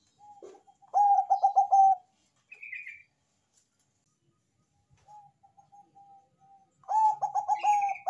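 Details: Bangkok perkutut, a zebra dove, in a strong song suited to prompting other doves: two bursts of quick, rolling mellow coos with a sustained final note, quieter cooing and a brief buzzy chirp between them.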